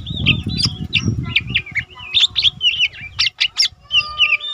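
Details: Lesser green leafbird, an untrained caged bird already singing often, used as a tutor for other cage birds: a rapid run of sharp whistled notes and twisting chirps, steady through the clip over low rumbling background noise.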